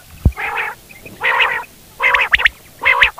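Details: Quail calling, four harsh, harmonic-rich bursts each about half a second long, spaced roughly every 0.8 seconds, with a faint low thump near the start.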